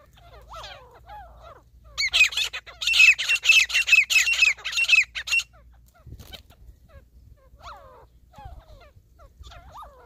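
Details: Wild grey partridge (desi teetar) during a hunt: a loud burst of harsh, squawking notes repeated about twice per second for some three seconds, with softer chirps from other small birds before and after.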